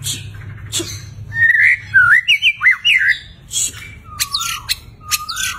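White-rumped shama singing a rich, varied run of clear whistled notes that slur up and down, broken by sharp, harsh clicks and chacks.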